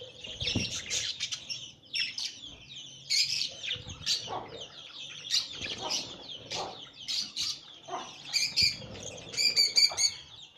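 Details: Budgerigar chicks beg with a dense, rasping chatter of high, scratchy chirps while their parents feed them.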